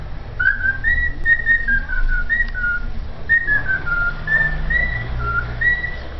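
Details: Cockatiel whistling the Vasco da Gama anthem, a melody of pure whistled notes stepping up and down in short phrases with brief pauses, over a low background hum.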